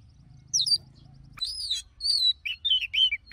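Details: Forest-voice song of an Oriental magpie-robin for song training: a brief high twitter, a pause, then a loud arched whistle followed by a string of rich, warbling, slurred notes.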